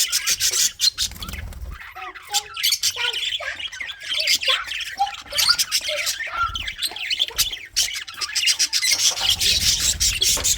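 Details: Many budgerigars kept for colony breeding keep up a loud, busy chatter of squeaky chirps and scratchy squawks, dense and unbroken throughout.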